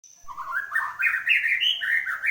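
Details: Caged white-rumped shama singing vigorously after moulting: a continuous rich warble of quick slurred notes climbing and dipping, with a thin high whistle at the start.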